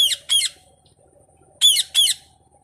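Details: Pet parrot answering a person asking in Bengali how a cat calls: harsh, high squawking notes given in two quick pairs, separated by a pause, in a quiet indoor room.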